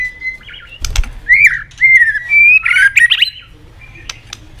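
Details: Competitive song of an excited White-rumped shama: a level whistled note, then slurred up-and-down whistles and a quick warbled burst, with a sharp click near the start, recorded indoors at close range.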